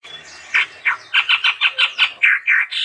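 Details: Chestnut-rumped babbler in full voice gives a string of about ten harsh, scratchy notes spaced roughly a quarter second apart, over faint background hiss.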